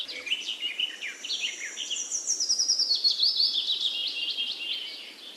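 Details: Continuous rapid bird twittering, high and busy, with quick trilled phrases sliding downward and a steady flutter of notes throughout.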